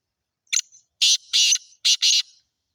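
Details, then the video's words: Sindhi black francolin (kala teetar), a bird offered for sale, calling one loud harsh phrase: a short scratchy lead note, then four broad grating syllables in two quick pairs, lasting under two seconds. "Kala teetar sindhi || black francolin //sweet voice"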